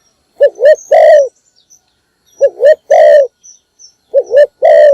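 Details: Decoy spotted dove calling in the morning for other doves: three quick phrases about every two seconds, each a double rising coo followed by one long, burry coo.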